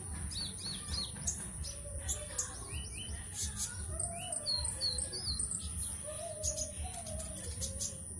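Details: Konin kept in a cage in Singkawang, West Kalimantan, entered in an online singing contest, gives quick high chirps and sliding whistled notes, plus lower drawn-out whistles repeated every second or two, over low background rumble.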